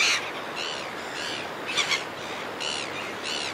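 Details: Red-billed gulls flying over a cliff top give about six harsh, nasal, slightly downcurved squeals, one every half-second or so, close up, over a steady hiss of wind or surf.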